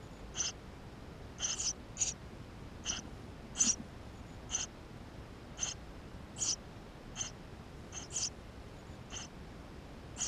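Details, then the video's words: Tree sparrow nestlings calling from inside their nest on a GoPro recording. About fifteen thin, high chirps come at irregular intervals, sometimes in quick pairs, against low background hiss. "Воробей полевой 160416 2 в №2016 6 160528 GoPro1440p птенцы внутри"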